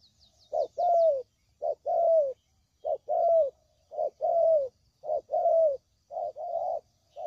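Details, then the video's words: Spotted dove call played as a trapping lure: paired coos, a short note followed by a longer falling one, repeated at steady intervals of about a second, with a brief high twitter at the start. "Suara Pikat Burung Tekukur"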